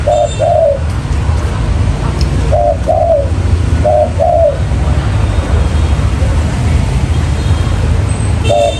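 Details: Spotted dove lure call for trapping wild doves: low, mellow two-part coos, a short note then a longer falling one, given in three phrases with long gaps, over steady low rumbling background noise.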